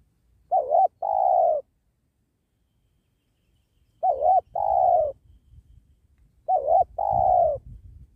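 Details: Spotted dove, locally tekukur, calling during trapping of wild doves near a sacred tree. Three two-part coos, a short wobbling note then a longer one, spaced unevenly; some low rustling noise after the second phrase.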